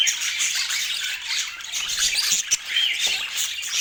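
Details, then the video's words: Dense, high budgerigar chatter of scratchy squawks and quick chirps, continuous and overlapping throughout. "Dieser Sound macht Wellensittich Vogel verrückt"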